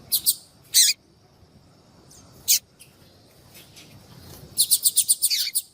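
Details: Calling female yellow-bellied seedeater, heard to attract males: a few loud, spaced high chirps with falling ends, a pause, then a quick run of about seven thin tweets.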